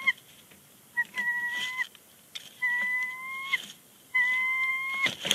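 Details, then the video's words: Bald eagle pair vocalizing on their nest at Big Bear Lake on 30 January 2020 before leaving; three long, steady, thin whistled notes about a second each, spaced by short pauses, with faint background crackle. "Big Bear Lake eagles; chatter on the nest."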